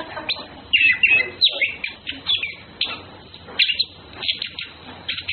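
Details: Orange-headed thrush, male and female flirting: a lively sequence of sharp chirps and squeaky whistled phrases, repeated every half second or so.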